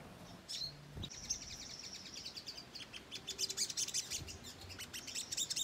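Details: Ruby-cheeked sunbird in lively chattering song, a lure for untrained sunbirds: a thin sustained high trill at first, then quickening bursts of sharp, very high chips growing louder toward the close.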